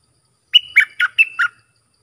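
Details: Bulbul singing a phrase meant for training chicks and juveniles: five lively notes in about one second, opening on a held whistle and mixing clear whistles with throaty, slurred downward notes, in a quiet background.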